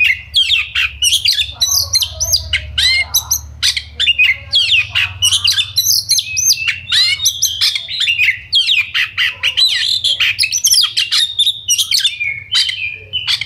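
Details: Dense, nonstop song of an Oriental magpie-robin in 'gacor ngobra speed rapat' style, a lure to rouse fighting mood in other birds: long stream of rapid varied chatters, trills and short whistles packed tightly together.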